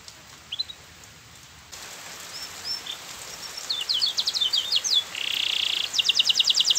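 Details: Lively canary song used as a lure to make silent canaries answer: after faint hiss, bright high chirps and whistles give way to rapid buzzy trills and a fast rattling series of repeated notes.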